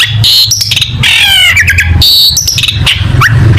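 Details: Contest-material song of a long-tailed shrike, rich in mimicked phrases: harsh buzzy bursts, a wavering trilled passage and quick rising slurs, set against a constant low droning background.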